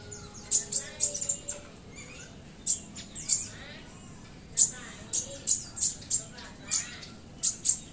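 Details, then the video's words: Cinereous tit singing to stir other caged songbirds into song: loud, sharp, very high chirps given singly and in quick pairs or triplets, bursts spaced irregularly with short pauses, over a faint low background. "SUARA BURUNG GELATIK BATU"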